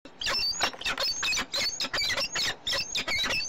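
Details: Peregrine falcon in Brussels, Belgium, on 8 April 2015 at 18:42: a fast run of harsh, squealing call bursts, each roughly a quarter-second long with high whistled overtones, repeated almost continuously.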